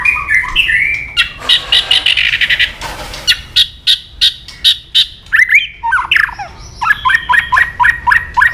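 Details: White-rumped shama in aggressive mood: whistled phrases, a harsh rattling burst, sharp clicks, then a run of repeated rising whistled notes in quick succession.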